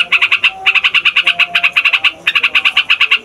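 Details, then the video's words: Yellow-vented bulbul, fighter type, rolling loudly to provoke other songbirds and attract wild birds: rapid, rasping, nasal notes strung in three long runs with brief pauses between them. "TRUCUKAN FIGHTER NGEROLL PANJANG BIKIN SEMUA JENIS BURUNG OCEHAN EMOSI"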